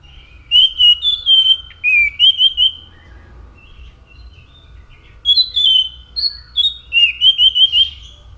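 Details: Orange-headed thrush singing two bursts of rapid whistled phrases, slurred notes rising and falling, separated by a quiet gap of about two seconds; faint low hum behind.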